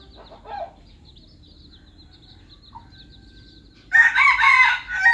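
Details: Red junglefowl lure bird, F1, from Aceh: a soft distant rasp early on, a long quiet stretch with a faint high whine, then a loud, harsh, ragged crow bursting out near the end.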